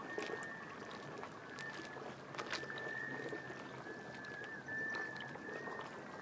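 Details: Black Scoters whistling in courtship on Shediac Bay, New Brunswick, April 2014, on their way to nest in Labrador, Quebec and Ontario. Sustained, mournful tones blend into a nearly continuous chorus over rippling water and breeze.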